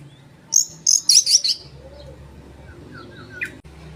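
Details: Oriental magpie-robin, a lively singing bird, song played to stir up rival birds: one fast burst of high, sharp twittering notes in close succession, then faint lower whistled slurs and a low hum in the background.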